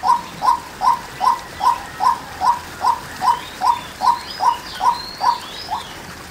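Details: Female white-breasted waterhen: a monotonous, evenly spaced string of about fifteen brief mid-pitched notes, each slightly rising, with faint high chirps from another bird partway through.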